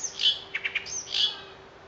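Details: Birds singing in new green foliage at Lake Kawaguchi: soft twittering notes, a quick run of three chirps, then a longer chirp, with low steady hum behind.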